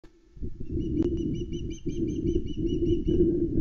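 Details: Ospreys at a Loch Arkaig nest in Scotland on 16 August 2020, caught by nest camera as an adult male delivers a mackerel to a young bird that calls loudly. A rapid series of short, thin, whistled chirps over heavy low wind rumble.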